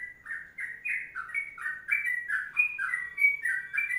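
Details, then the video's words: Sooty-headed bulbul giving an energetic, long 'kongslet' song: a continuous chain of bright, slurred whistles, each note sliding down then up, repeated about one and a half times per second with no other sounds. "Masteran Trucuk Kongslet Panjang"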